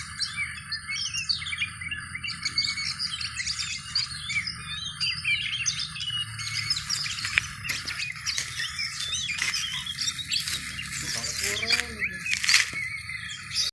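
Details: Oriental magpie-robin (kacer) during a mental test: dense, rapid high chirps and sharp whistled notes pour out almost without pause, with a short lower, harmonic call near the end and steady background hiss.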